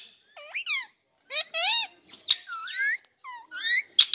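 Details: Pet ringneck parrot talking indoors: short chattering bursts of harmonic, speech-like syllables with swooping pitch contours and squeaky notes, separated by brief pauses.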